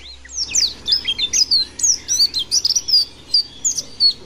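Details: Mountain white-eye in lively full song, a rapid run of high thin whistled and chirping notes, sharply rising and falling, delivered in quick bursts with short gaps.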